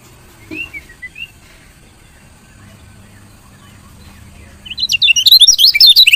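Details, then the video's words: Female lemon-bellied white-eye chirping to stimulate lazy males to sing; mostly quiet with a few faint thin notes, then a loud burst of fast, high chirps at the end. "CIAK KECIAL KUNING BETINA"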